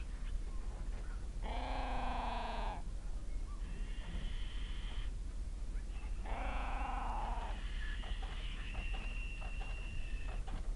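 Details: Evening feeding of two fluffy Little owl fledglings just out of the nest, Kalmthout, 11 June 2022, with food not shared equally; harsh hissing screeches alternate with louder, rougher, harmonic wailing calls, then a long drawn-out hiss.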